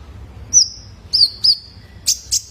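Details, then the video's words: Juvenile male Brown-throated Sunbird call used on caged birds: three thin, level whistles, each with a bright start, followed by two harsh high chips. "PANCINGAN KONIN BAHAN IKUT GACOR !! COCOK BUAT TERAPI KOLIBRI NINJA - SUARA ANAKAN JANTAN!!"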